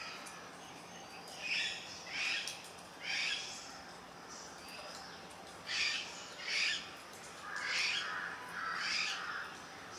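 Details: Juvenile grey hornbill uttering loud, harsh squawking calls in uneven bursts, single and paired notes spaced a second or two apart, with a steady faint hiss of the outdoors behind.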